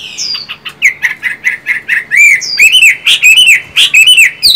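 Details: Chinese hwamei singing loudly: a rapid run of varied whistled notes, some sliding down from high, others short slurred and repeated, with bright arched phrases late in the run and no other sounds.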